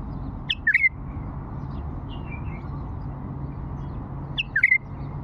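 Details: Old Fawi bulbul singing its prized song phrases: two short bursts of clear, liquid whistled notes, rising then falling, about four seconds apart, over a steady low background hum.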